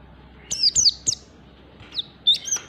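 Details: Short bursts of high, thin, falling tweets from a standard-type wild oriental white-eye used to entice other birds to sing, followed by softer single chirps and a final pair of notes.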